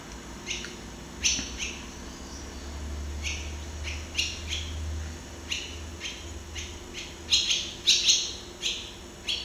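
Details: Barn swallow (Hirundo rustica) singing, seen close up: a string of short, sharp chirps high in pitch, coming unevenly about twice a second, with soft low background rumble.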